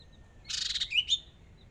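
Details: Caged Hwamei decoy bird at its first practice round of a singing contest utters a short, harsh buzzy burst followed by two clear whistled notes.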